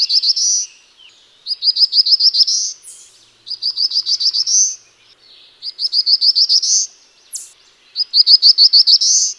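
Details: Black-throated blue warbler singing four high songs, each a quick run of about eight bright, clipped notes ending in a rising buzzy slur, with pauses of about a second between phrases and a brief sharp note between two of them.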